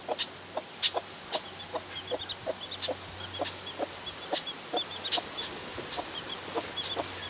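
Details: Newborn chick beside its laying hen, peeping almost nonstop: quick, piercing, high notes repeated several times a second, some doubled, with faint softer chirps between them.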